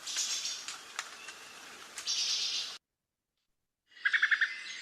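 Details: Veery (Catharus fuscescens), alarm call: alarm at an intruder near the nest.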